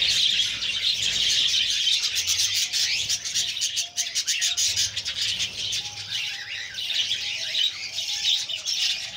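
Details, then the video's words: Budgerigar chicks begging while being fed by the female: a continuous dense, raspy, buzzy chatter of overlapping high chirps with no pauses, plus a faint thin whistled tone in the background. "female feeding babies buggies parrots"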